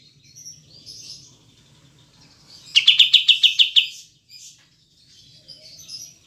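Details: Kapas tembak (Olive-winged bulbul), clear recording with pauses: soft scattered twitters around one loud burst of about nine rapid, sharp chattering notes.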